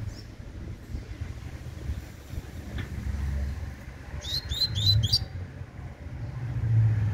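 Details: Young Double-collared Seedeater, tui tui song style: a single brief phrase of four fast, high chipping notes late in the recording over a constant low engine-like hum.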